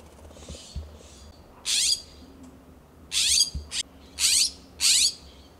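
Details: California scrub-jays calling to one another in a backyard in Pacific Grove, California, one perched on a wooden fence. Faint calls open the recording, then four loud, harsh, rasping calls come in uneven bursts.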